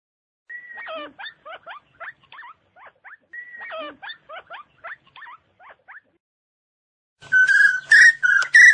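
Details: Chinese francolin call used to lure birds in: two phrases, each a drawn whistle followed by a run of short clipped whistled notes, then a louder, harsher burst of repeated notes at the end.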